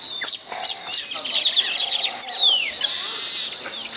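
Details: Baya weaver in a tropical habitat while building hanging nests: rapid high chattering notes in quick bursts, then a long descending whistle and a harsh sizzling buzz near the end.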